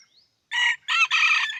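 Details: Red junglefowl from Indrapuri, Aceh, giving a short, harsh crow broken into three rasping parts over about one second, preceded by a faint thin rising whistle.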